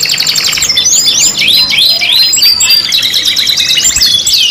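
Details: Canary lure song, a five-in-one mix used to prompt canaries to sing: loud, continuous, dense high trills and rapid chirping sweeps with no pauses.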